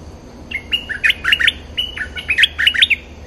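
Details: Bulbul sound used for luring wild birds: bright, bubbly phrases of short whistled notes that jump and warble, given in two quick bursts separated by a brief pause, over a low steady hum.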